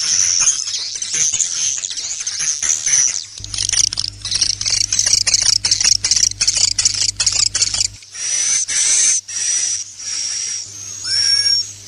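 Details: Swiftlets calling to lure birds into a roost: crowded, rapid high chirps and clicks fill most of the stretch, ending in several longer high buzzy notes, with a low hum beneath.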